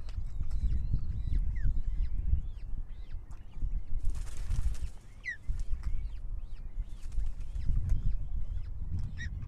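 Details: Nest-camera recording of an osprey pair (reintroduced male and German-ringed female) at Marais d'Orx reserve, France, 18 May 2023, 08:47: steady run of short, high, arched whistles, several per second, over heavy wind rumble and a brief rushing burst.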